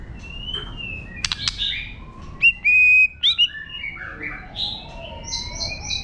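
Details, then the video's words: White-rumped shama giving its wild 'forest voice' song, meant to stir up other birds: clear whistled notes, sharp upward flicks and a few steady pure tones, ending with high repeated rising chips over soft background noise. "chòe lửa hót giọng rừng kích bổi, kéo rê kích bổi căng lửa. chim chòe lửa hót hay"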